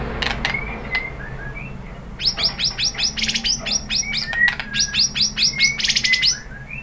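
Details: As a lure for other shamas, a white-rumped shama gives a rapid, sustained series of sharp high chipping notes, with soft short whistles scattered underneath.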